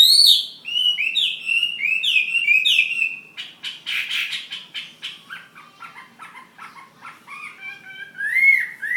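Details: Fighting hwamei from Ha Giang, Vietnam, opening with a series of loud downslurred whistles, moving into harsh, noisy chatter, then softer stuttering notes before a final clear whistle.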